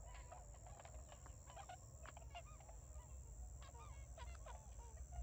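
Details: Newly arrived Tundra swans in rice fields near Ochigata lagoon, Hakui, on 3 November 2022, flying about and calling; a crowd of short nasal honks, a few arched notes rising and falling, over a deep continuous rumble.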